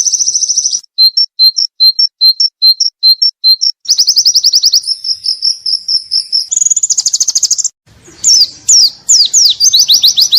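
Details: White-eye training recording with isian content: high clipped repeated notes, buzzy trills, a steady rasping run, then whistled slurred notes after a short pause; insect-like chirping quality.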